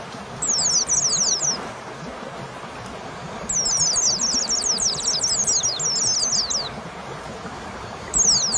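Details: White-eye singing, recorded as a master track to stimulate a lazy home bird. Quick chains of thin, high, falling whistles form a short phrase, then a long busy run of notes, then a brief start, over faint hum.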